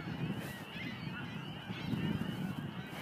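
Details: Near a bike path at the Montmagny marsh, 17 April 2012, a snow goose flock gives a busy stream of overlapping yelping honks that grows slightly louder midway, with low rumble beneath.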